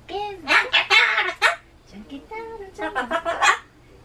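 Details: Pet Solomons cockatoo indoors, a timid bird that screams at loud sounds such as town loudspeaker announcements and election campaign cars; loud harsh broadband squawks in two rapid bursts separated by a brief lower note.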